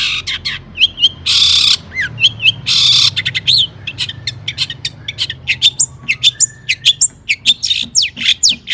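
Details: Long-tailed shrike (cendet) in vigorous song used to get other shrikes singing: two loud raspy bursts, a falling whistle, then a rapid string of high clipped notes and sweeping whistles.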